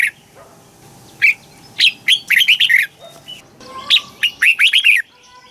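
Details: Southern master-style red-whiskered bulbul song for exciting or training birds: scattered sharp notes build into a rollicking run of slurred whistles, followed by a second similar phrase, with faint steady tones behind.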